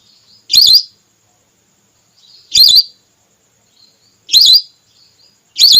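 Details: Hunting lure of a female whistling duck, meant to draw red or plain whistling ducks down: four loud, wavering whistled calls spaced roughly two seconds apart against near silence.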